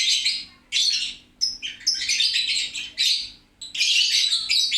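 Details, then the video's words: Lovebird chattering loudly in clipped bursts of shrill, scratchy twittering, pausing briefly between phrases before a longer final run. "LOVE BIRD..GACOR RAME2"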